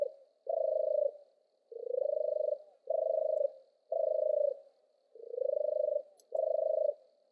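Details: European turtle dove singing: a deep, rolling purr delivered in six even bursts of about half a second to a second each, separated by short pauses, with a faint steady hiss in the background.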